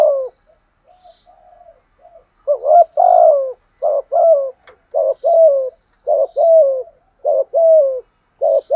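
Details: Spotted dove used as a decoy to draw in wild doves, giving urging and 'gù' coos: faint, soft murmurs build into loud, low, hollow two-part coos, about eight in quick, steady succession, with a faint high chirp now and then.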